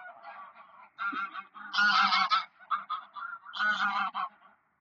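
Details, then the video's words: Greylag geese on the ponds of Poleski Park, Poland, on 1 October 2024, giving loud nasal honks in uneven bursts, several birds overlapping, with quieter gabbling between louder outbursts. "Gęsi gęgawy na stawach Parku Poleskiego"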